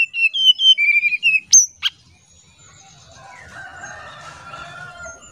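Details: Oriental magpie-robin singing in the nyuling style, used as a lure sound: a run of clear whistled notes, each falling slightly, with two sharp high upsweeps, then a faint murmur of background noise.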